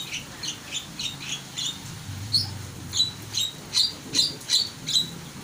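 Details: Starling in full song: a string of crisp, high chirps that grow louder and more evenly spaced, about two or three per second, over a low background hum.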